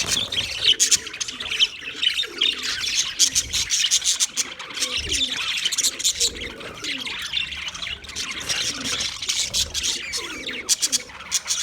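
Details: Budgies chattering steadily: a continuous stream of high, raspy chirps and warbled twitters, with some sharp clicking bursts and faint lower tones in the background.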